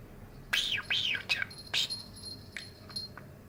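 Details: Pet male budgerigar aged nine chattering indoors during year-end cleaning: a few looping warbled notes, then a scratchy burst and softer chirps trailing off.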